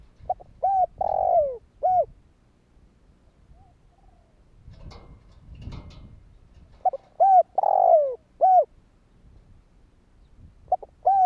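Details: Spotted dove calling in kích bổi style to provoke answers from other doves: a coo-coo, long falling note and final coo, repeated after a quiet gap with a burst of rustling noise in between, a fresh phrase starting at the end.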